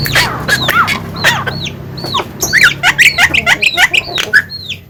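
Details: Javan myna chattering busily: a stream of short, high, hooked whistles and clipped notes, speeding into a rapid run of about ten chirps near the end, with a faint low hum beneath.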